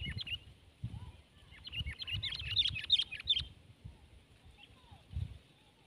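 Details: Sooty-headed bulbul (kutilang) in a tense fight with another bird: a short cluster of sharp, repeated chirps in the middle, with low thumping and rumbling noise before and after.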